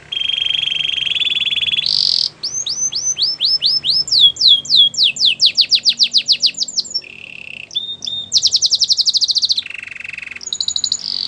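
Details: Singing Belgian canary: a long buzzy roll, then repeated falling whistled sweeps, a rapid run of descending notes, high pulsed trills and a low rattling phrase, with varied tours following one another.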